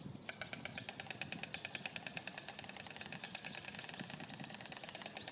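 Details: Pair of storks, male and female, making a noisy display at one of many stork nests in the village of Lazina, Croatia: faint, rapid dry clattering pulses, roughly three per second, steady throughout, over a hiss of background noise.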